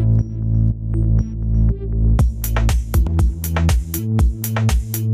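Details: Electronic synthesizer music with heavy bass and a driving beat; no animal sounds.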